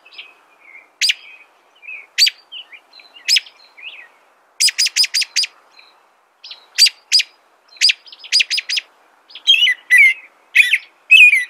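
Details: Singing American robin. Mostly sharp, high, clicking notes, some grouped in fast runs of four or five, with short gaps between. Near the end come several richer whistled phrases that slide downward.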